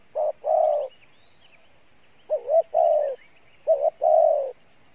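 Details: Spotted dove with a good voice and fair cooing, Pha Bài Lối style. Three low hollow phrases, each a brief clipped or wavering note leading into a drawn-out steady coo, spaced about two seconds apart. Faint high chirps in the background.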